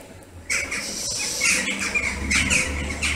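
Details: Western jackdaws gathering in large numbers at a favourite evening roost in August, circling noisily above the trees; overlapping short harsh squawks repeat from many birds with a low rumble beneath.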